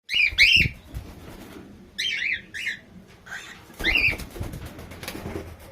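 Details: An albino red-eyed cockatiel (Nymphicus hollandicus) gives short, harsh, rising, high-pitched chirps with a raspy edge, in bursts every second or so.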